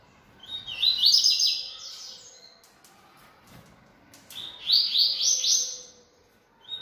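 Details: Two matching phrases, about three and a half seconds apart, from a caged yellow-bellied seedeater singing a lot. Each is a fast, buzzy, high warble of repeated slurred notes, with faint clicks between them.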